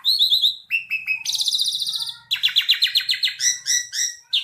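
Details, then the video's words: Asian pied starling in lively song, delivering a rapid medley of short whistles, a sustained rattling buzzy phrase, then a fast series of harsh repeated notes and clipped chirps, loud and continuous with a faint low hum beneath. "Kicau jalak suren gacor"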